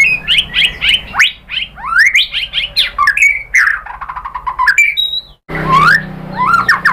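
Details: White-rumped shama song played to stimulate other birds to sing: rapid series of rising whistled sweeps repeated in quick bursts, then lower slurred warbles and clicks, a short break, and more rich fluting phrases.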